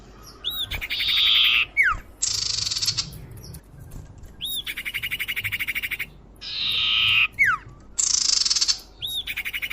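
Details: Common iora call used as a lure for attracting birds: alternating harsh buzzy bursts, quick falling whistled slurs and fast rattles, repeated in a similar cycle twice.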